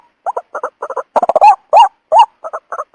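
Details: Waterhen lure call for trapping: paired short clucking notes, then a quick burst of stacked stuttering notes leading into two long, loud, rising honks, and then more doubled clucks.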